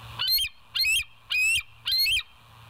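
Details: Bald eagles filmed by a live nest cam at West End, 9 September 2023, 10:28; four loud, piercing, harsh high calls spaced about half a second apart, with near-silence between and a faint low hum.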